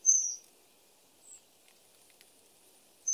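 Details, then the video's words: Common kingfisher giving brief shrill high whistles, one at the start and another cut off at the end, with a softer faint note between and an otherwise quiet background. "The song of the Kingfisher"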